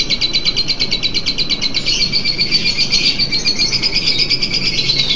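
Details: Lovebird singing during contest-nerves training with a simulator: a rapid chattering trill of high notes that runs into a long sustained high warble, over a loud rumbling background hum.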